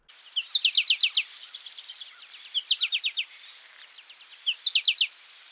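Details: American Goldfinch calling in an eastern North American backyard, a summer song likened to "potato chip": three quick bursts of five or six high, sweet twittering notes, each under a second, with faint background hiss.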